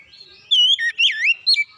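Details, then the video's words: Oriental magpie-robin song played as a lure to restore singing in a bird that rarely sings: loud, clear whistled phrases swooping up and down, a sustained note, a wavering trill and a final sharp whistle. "pancingan pemulihan Kacer susah bunyi langsung gacor"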